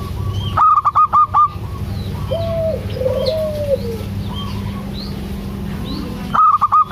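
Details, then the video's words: Local zebra dove singing actively, played to coax a quiet dove into calling: loud bursts of short staccato notes open and close the clip, with soft sliding coos between and faint chirps of other small birds. "PANCINGAN AMPUH 💯 % UNTUK PERKUTUT MALAS BUNYI‼️ PERKUTUT LOKAL GACOR DOOR"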